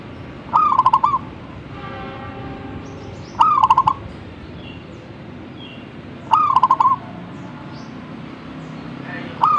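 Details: Vigorous zebra dove song, four stuttering coo phrases, each a burst of clipped, rapid notes running into a short trill, repeated about every three seconds against a faint low rumble and a soft tonal background.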